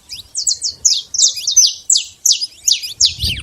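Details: Free saffron finch in nature: clear, high, slurred chirps spaced evenly about three per second, ending with a low thump.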